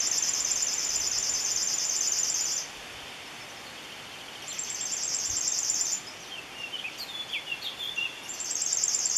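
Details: River warbler singing by the Bečva river, Czech Republic, in May 2015: high, dry, rhythmic buzzing reels of about three pulses per second in bursts of two to three seconds, with brief chirps from another bird between them.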